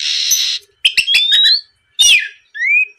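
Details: Oriental magpie-robin singing to provoke a rival: a harsh buzzy burst, then quick clicks and a rising whistle, another rasping note and a final upward-sliding whistle, with short silences between phrases.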